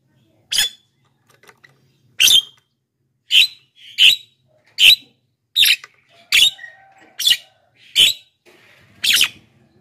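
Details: Javan myna calling vigorously, offered as a lure for wild birds and a master for lazy captive singers; loud, harsh, rasping bursts repeated about once a second after a short opening pause, with faint low background hum.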